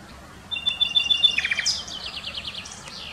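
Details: Common nightingale singing in 2020: a long steady whistled note, then a quick series of repeated descending notes and rising sweeps, with faint background hum.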